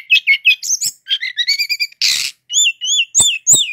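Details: Brown-chested jungle flycatcher, a native Indonesian bird, in loud continuous 'ngeroll' song: quick chirps, a series of repeated upslurred whistles, a brief burst of rasping noise, then looping wavy whistles.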